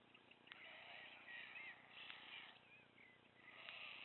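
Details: At Wilsum, a ravenous White stork chick begs and tugs food from its parents' bills. Hoarse, wavering mewing cries run almost without pause, with a few sharp clicks.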